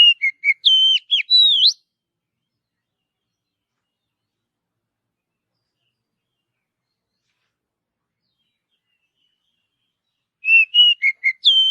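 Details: Natural forest song of an Oriental magpie-robin: a brief burst of varied whistled notes, then nine seconds of silence before the same whistled phrase begins again.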